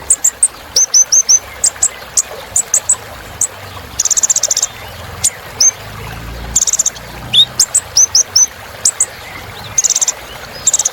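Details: Sunbird called kolibri ninja, filler song to energise caged birds: runs of thin downslurred whistles mixed with brief buzzy chip bursts and a rising note.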